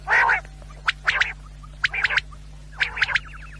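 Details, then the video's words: Quail call, offered for hunters for use at night: a harsh, buzzy burst followed by sharp clicking notes and short raspy phrases, with a fast rattling trill at the end, about once a second. "1 quail sound Great sound for hunters brothers"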